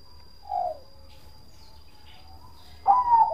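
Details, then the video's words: Bangkok zebra dove with a 'kong' voice: one short, low, descending coo, a pause of about two seconds, then a louder, full rounded coo that begins the next phrase, with little background noise. "Perkutut bangkok Raja Suara Kong"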